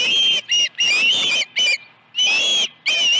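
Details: Osprey at a ranch nest on the morning of 21 August 2019, when two fish arrived; loud, clear whistled calls, slightly rising then falling, given in bursts of about half a second separated by short silences.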